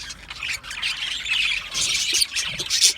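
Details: Aviary of Australian budgerigars chirping: a short stretch of continuous harsh, squawky chatter from several birds, growing louder toward the end.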